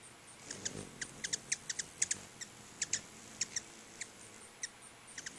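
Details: A gathering of hummingbirds at twin feeders by a house gives a loose series of high, sharp chips, some doubled, over a faint background hiss.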